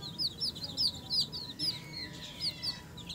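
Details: A mother hen with her chicks: domestic chicks peep steadily, thin high notes that arch and fall, several per second from a few overlapping birds, over a low background rumble.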